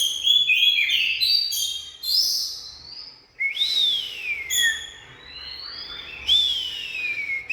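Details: An Oriental magpie-robin sings an opening cluster of quick mixed chirps, then long pure whistles that swoop down in pitch, each separated by a short silence.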